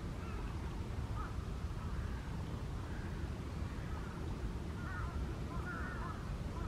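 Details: Wild Eurasian wigeon in December on the Kanto Plain, Japan: faint, short whistled calls rising and falling, given in scattered bursts about once a second or two, several overlapping near the end, over a loud steady low rumble.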